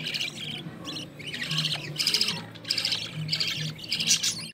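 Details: Mother budgerigar feeding her growing chicks in the nest, green-line pair with an opaline-carrier chick; loud, grating squawks and scratchy chatter repeat in dense bursts roughly every half second to second, over a quiet low hum.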